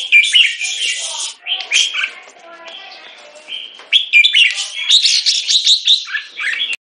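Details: A molting red-whiskered bulbul sings loud, bright, bubbling phrases, with a quieter stretch of softer notes and low murmurs in between.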